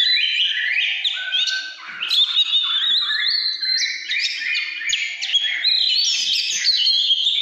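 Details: Oriental magpie-robin singing 'căn lửa': sliding whistled notes climbing higher through the phrase, clear and loud, with scattered quick twitters.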